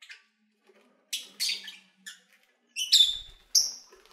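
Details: Pet lovebirds chattering while eating and playing: bursts of shrill, raspy chirps and a few clear whistled notes, uneven in timing, with a soft low tap in the background.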